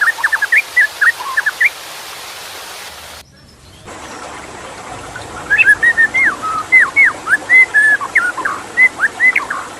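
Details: White-rumped shama with water in the background: clusters of quick whistled notes, a brief break in the sound, then a lively run of looping, rising and falling whistles.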